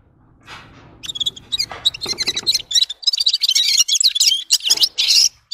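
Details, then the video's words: Red-fronted serin song begins after a second of faint low background noise, then builds into rapid high twittering and jingling notes that run to the end. "Gulsir Singing (Seriniis pusillus) Пение Птицы (Yurok Qushi Red-capped signing) G'ir-G'ir"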